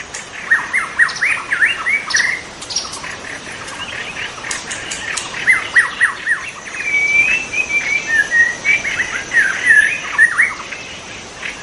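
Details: White-rumped shama in the wild delivering a rich, varied song of rapid whistled notes, trills and slurred phrases in dense bursts, with a brief pause mid-clip, a faint insect hum behind.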